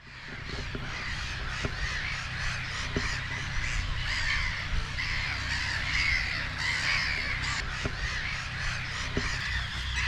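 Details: Noisy evening colony of Black-headed Gulls at the lagoon on Brownsea Island, with terns and shelducks present; dense overlapping harsh, raucous calls form a continuous wall of squawking throughout, with a few sharp clicks.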